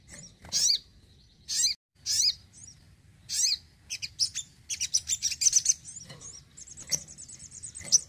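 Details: Home-kept crimson sunbird in full, lively song: a few loud, high rasping chirps spaced about a second apart, then rapid, tightly packed high ticking notes and a thin trilled tail.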